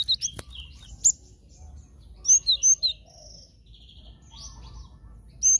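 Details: Glatik batu, the cinereous tit, in a lure recording for trapping: a sharp click, then scattered high chirps and a bright run of three or four loud notes, with softer twittering after.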